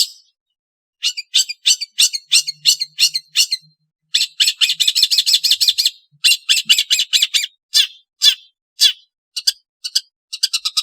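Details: Long-tailed shrike calling in bursts of harsh, rasping chatter notes, fast strings of broad scratchy notes separated by short pauses, with a few longer gaps between bursts.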